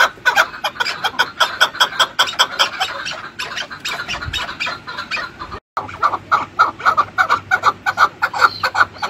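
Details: Chukar partridge giving a fast, steady stream of harsh clucking chuk notes, about two or three per second, with overlapping voices. A brief silent gap falls midway.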